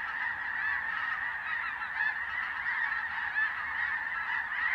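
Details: Snow and blue geese gathered and migrating at dusk give a thick, ceaseless din of shrill overlapping honks, the chorus rising and falling slightly in loudness throughout.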